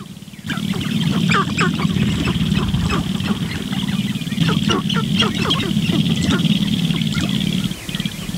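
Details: Sharp-tailed grouse lek in the morning, males displaying intensely toward a visiting female; after a quiet start, loud sustained low rattling fills the scene with frequent sharp clucking and cackling notes layered on top.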